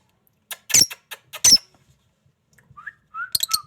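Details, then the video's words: Lovebird calls: two loud, harsh squeaks followed by short quieter chirps, then a pause, a pair of faint rising whistles and a final cluster of shrill chirps. "love bird||sound magical"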